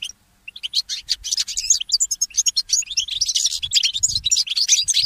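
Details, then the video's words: Goldfinch mule in the early morning after a short silence: a busy, high twittering song of quick chirps and warbled trills, with soft low knocking sounds underneath. "The inspiring Motif of the Mule Goldfinch"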